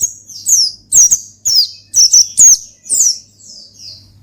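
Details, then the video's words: Oriental white-eye in ngalas style song aimed at provoking a rival: a fast, steady string of thin descending tweets, about two per second, fading into softer trailing notes, with a low hum behind. "Gacor Ngalas Manggil Lawan Perangsang Burung Pleci"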